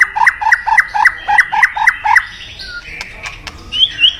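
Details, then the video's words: White-rumped shama, used in decoy trapping to draw in a mate, singing a quick series of about nine repeated two-note whistled phrases, followed by softer scattered notes and a high rising whistle. "เสียงนกบินหลาดง นกกางเขนป่า ใช้ต่อนกเรียกคู่เข้าเร็วมาก"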